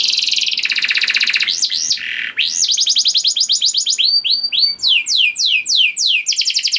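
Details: Canary song played as a lure to get other canaries singing: dense buzzy trills high in pitch, then looping upward-and-down slurs and fast rolling phrases of sharp descending notes, continuous with no other sounds.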